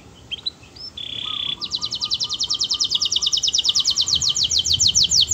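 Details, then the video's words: Sweet-singing canary: a few short high notes and a steady held whistle, then a long fast trill of sharp repeated notes at roughly three per second, with a faint lower purring phrase underneath. "Suara burung kenari bernyanyi merdu"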